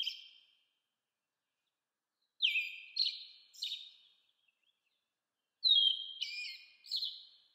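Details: American robin giving short phrases of rich, whistled, slightly slurred notes dropping in pitch, one at the start, then a group of three and a group of three after a pause; no other sounds.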